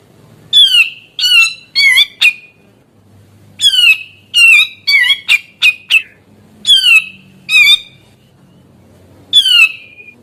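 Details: Lively grey-cheeked bulbul, its song said to unsettle other bulbuls and draw young birds into calling: loud harsh nasal notes slurring downward, given singly or in quick clusters of two to five at irregular intervals.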